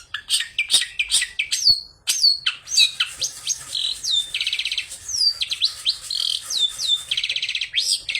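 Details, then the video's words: Long-tailed shrike singing a lure song rich in mimicked fill-in phrases, including sparrow fighting calls; a rapid run of high chirps, sharp downslurred whistles and buzzy rattling trills, varying every second with no pauses. "CENDET ISIAN GANAS Pancingan Ampuh Burung Trotol Gacor"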